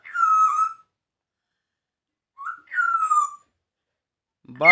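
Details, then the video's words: Grey parrot talking in Punjabi: two clear, whistle-like voiced phrases, each under a second and holding a steady mid pitch, separated by a long pause, with a third sound starting right at the end. "gray parrot taking punjabi"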